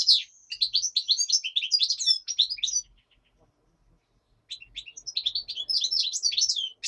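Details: Daytime singing of a black-headed goldfinch: two long bouts of rapid, jangling, high twittering notes split by a short pause, lively and unbroken; a common nightingale sings in the background.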